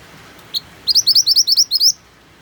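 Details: Mantenan, a white-eye, sings over a rain backdrop meant to get other birds singing. One short note leads into about ten rapid, high, upswept chirps in a tight, evenly spaced run, with a steady hiss behind.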